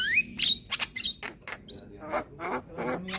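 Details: Young white-eyed Javan myna, head-bobbing while calling to lure hybrid mynas: a rising whistled note, then sharp high whistles mixed with harsh, scratchy bursts in an uneven string.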